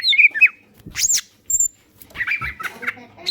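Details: Green leafbird singing, kept to set off song in other birds: a few high chirped and slurred whistles, then a short gap and a busier run of squeaky, warbled notes.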